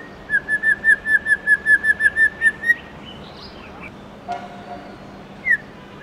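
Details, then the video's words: Morning forest-style song of a white-rumped shama: an even series of about a dozen whistled notes, a brief high warble, then near silence with one click and a lone note. "Chích chòe lửa Hót Giọng Rừng cực hay buổi sáng"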